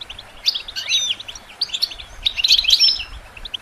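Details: Goldfinch song used to stimulate and train songbirds: quick high twittering with bright chirps and short sliding notes in two bursts, the second denser, over a quiet background.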